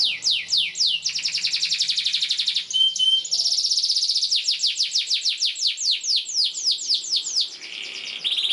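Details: Canary pouring out long, chatty song used as a master recording for young birds. A few falling sweeps lead into a long, fast, rattling trill, then a steady run of repeated descending whistles.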